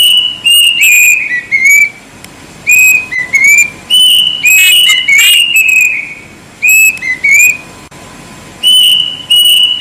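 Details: Plaintive cuckoo singing loud, piercing whistles in short repeated phrases about every second. The notes slur up and down with brief pauses, and the sound is harsh and over-bright throughout.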